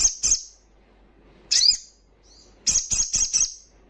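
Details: Crimson sunbird, fast wild-style 'ngalas' singing used to stir breeding drive and aggression in untrained birds: scattered sharp, very high chips, then a brief burst of four quick high notes.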